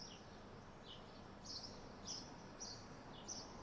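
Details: Morning swallows calling from high in the sky, unseen: a series of short, high, slurred chirps repeated about every half second, clearer in the second half, over a low steady background hum.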